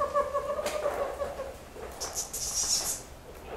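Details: A captive tropical screech owl born in 2006, recently come of breeding age and now showing courtship behaviour toward a handler's glove, gives soft, mellow, wavering low notes, followed by a brief burst of high hissy rustling.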